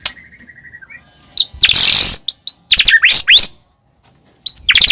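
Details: White-rumped shama song used as a lure for caged birds: a thin steady whistle, then a burst of harsh noisy chatter, loud rising whistled notes and a final sharp phrase after a short silence.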